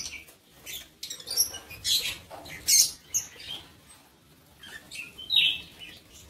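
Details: Many shrill, scratchy chirps from lovebirds in a breeding aviary come in irregular quick succession, some thin and whistled, others rasping, with brief pauses.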